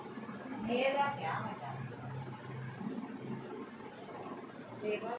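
A grey parrot mimics human speech in short word-like bursts, with a quick rising whistled note near the start, over a low background hum.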